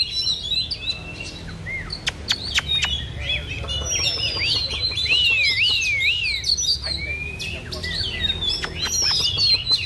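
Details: Oriental magpie-robin in a competitive face-off, fan-dancing as it sings: a rapid, varied run of high whistled notes, zigzagging slurs and chirps, punctuated by sharp clicks, over a low background hum.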